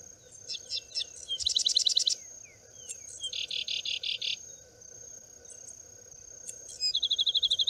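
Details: Sedge wren singing in preserved open grassland, rural Prados, Campos do Alto Rio Doce: high dry chips, then fast metallic trills and a rapid buzzy rattle, separated by pauses, over a steady high insect whine.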